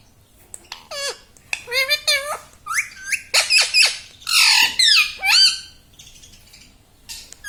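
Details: Pet Indian ringneck parrot laughing gives a run of harsh, high, squawky laugh-like bursts and speech-like syllables, several to a second, with short pauses between, in a quiet room; it is known to say "Mummy" and "Papa".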